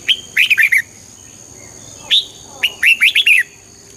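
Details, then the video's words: Red-whiskered bulbul singing to rouse birds: a fast phrase of four bubbly whistled notes, a lone sharp note, then a second phrase of five lilting notes, over a faint continuous high whine. "เสียงนกกรงหัวจุก ชัด 100% เปิดต่อ ให้นกคึก"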